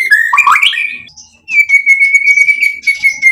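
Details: White-rumped shama, lively song meant to stir rivals: a tangle of rising whistles and chatter, brief silence, then a long sustained level whistle under fast scratchy ornaments.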